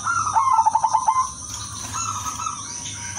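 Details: Silver female zebra dove calling males, kept as a lure so others reply; one fast rippling series of about eight pulsed coos that drop slightly in pitch, followed by softer background tones and a constant high hiss.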